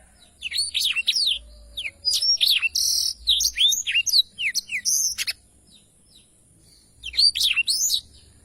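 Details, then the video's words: Blackthroat singing a long roll of quick high chirps and whistled sweeps for about five seconds, a pause, then another short burst of twittering. "Tarikan Suara Blackthroat Super Gacor Ngerol Panjang II masteran burung blackthroat (audio jernih)"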